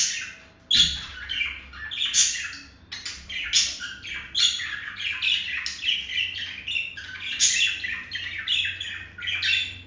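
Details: Male budgerigar courting a female with chirping and beak tapping: dense, scratchy warbled chirps and squawky notes in quick irregular bursts, with short pauses between phrases, indoors.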